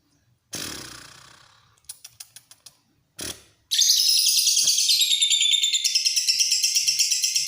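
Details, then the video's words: Lovebird starting its long "ngekek panjang" chatter after a rustling noise and a few sharp taps, then breaking into an unbroken high, shrill, rapidly pulsing trill. "Love bird ngekek panjang"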